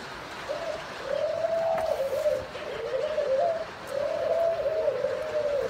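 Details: Breeding pair of Thai spotted doves, male red dragon-pattern and female grey dragon-pattern, paired successfully; soft low cooing phrases repeated in long rolling bursts, indoors.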